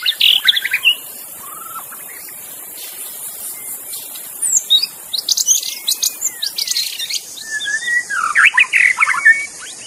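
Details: Wild magpie-robin in forest: scattered bursts of chattering, scratchy notes and short whistles separated by pauses, over loud buzzing insects and cricket noise.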